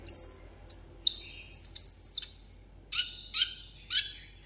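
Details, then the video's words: Caged sunbird's solo contest song: a run of high, drawn-out sliding whistles, then after a short break three lower, buzzy, scratchy notes spaced about half a second apart. "hút mật 7 màu hót đấu solo"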